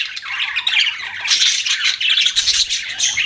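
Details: Budgies giving dense, overlapping chirps and warbles, a continuous busy chatter with no pauses.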